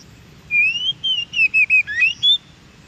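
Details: Oriental magpie-robin (kacer) singing in the wild, recorded to stimulate captive birds to reply; a clean rising whistle followed by a string of short varied whistled notes, some dipping lower, ending on a high flat note.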